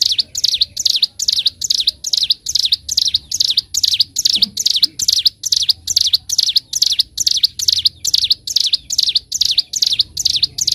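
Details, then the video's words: Bar-winged prinia (ciblek gunung) in a clear, long master recording for training birds, singing 'gacor' and 'ngebren': a steady, unbroken run of sharp high chirps, repeated about twice a second, strongly rhythmic throughout. "Masteran Burung CIBLEK GUNUNG (CIGUN) Gacor N3mbak, Ngebren - Suara Jernih Durasi Panjang"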